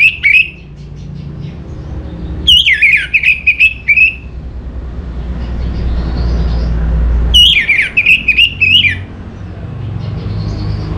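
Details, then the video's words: Orange-headed thrush song in three bursts of clear, fast, varied whistled notes, each phrase opening with a high sweeping note and wavering downward, separated by several seconds of quieter gaps with low traffic-like rumble. "Suara ANIS MERAH Cepat Gacor"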